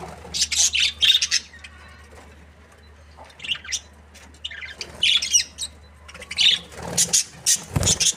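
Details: A pair of breeding Australian budgerigars chirps in separate short bursts of squeaky, warbled chatter, each about half a second long, spaced by quieter moments over a faint hum.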